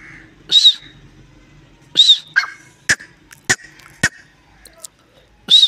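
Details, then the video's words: Partridge giving loud, harsh, squawking calls with a high whistled edge, three times at intervals of about one and a half to three seconds. Sharp clicks and knocks come between them against a faint low hum. "teetar awaz / teetar voice / teetar ki awaaz / teetar ki awaj"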